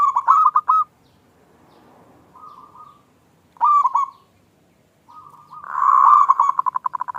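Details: Local zebra dove giving its small 'klung' lure song, meant to provoke other doves into singing. Short rippling coo phrases alternate with pauses, ending in a louder, fuller series of quickly pulsing notes.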